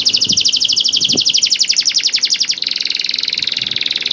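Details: Canary song used to trigger other canaries to sing: a long fast trill of repeated sweeping notes that shifts into an even quicker, buzzy rattle, with faint low thuds in the background.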